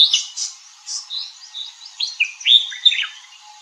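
A red-whiskered bulbul gives a rapid string of bright, chirpy notes, some slurred up or down. The phrases are quick and varied, with faint background hiss.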